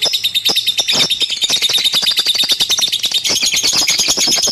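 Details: Continuous lovebird chatter made of fast, high-pitched twittering pulses, with many crisp clicking notes layered over the steady shrill trill.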